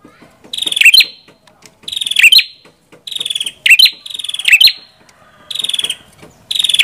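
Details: Prenjak kepala merah (red-headed prinia) singing: a short, bright high phrase that rises into a sharp squeaky flourish. The phrase repeats about every 0.9 seconds, separated by brief quiet gaps.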